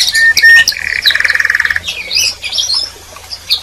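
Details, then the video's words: Canary calling and chirping: a few short steady whistled notes, then a quick buzzy pulsed trill, followed by scattered softer chirps with pauses. "Canary Singing And Calling - Chant et appel des Canaries - غناء الكناري وندائه"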